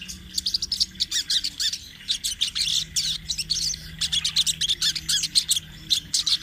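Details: Rolling sunbird song kept as a master for training birds: rapid, high chirps packed into long chattering runs, nearly continuous with short breaks and a faint low hum beneath.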